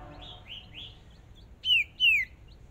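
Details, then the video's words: Hwamei decoy bird in a fierce singing contest, on its first practice in a small cage: a few soft buzzy notes, then two loud, pure whistles that slide down sharply, one right after the other. "Chim Huýt Cô Mồi Mới Lên Lần Đầu Dợt Lụp Nhỏ Đấu Căng Lửa Thật"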